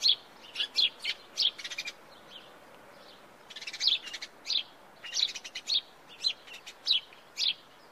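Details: Sparrow chirping in song: repeated short, piercing chirps in loose groups, a brief pause midway, then a fresh run of evenly spaced chirps with faint clicks.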